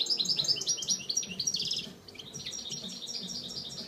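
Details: A European Goldfinch at El Prat de Llobregat sings a fast, tinkling twitter of high, liquid notes and short buzzy trills, run together with hardly a pause, over a faint low background hum.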